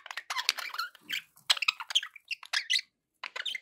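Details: Budgies kept as pets in lively warbling chatter: quick squeaks, chirps and rasping notes in fast bursts with one brief pause.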